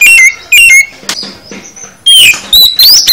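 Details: Oriental magpie-robin (kacer) full isian song: a few sharp whistled notes, a quiet gap, then a rising, bending whistle followed by quick chirps.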